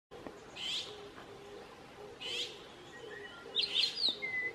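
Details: Azure-winged magpie in South Korea, 2018, giving three harsh, rasping calls about a second and a half apart, with a brief thin whistle at the end and a low background hum.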